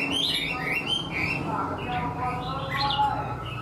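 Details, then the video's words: Chinese hwamei in a cage, an untrained bird singing like a tame one, delivers a short run of clear whistled notes over low background hum. "Họa mi mộc mau mỏ hót bài bản như chim thuần"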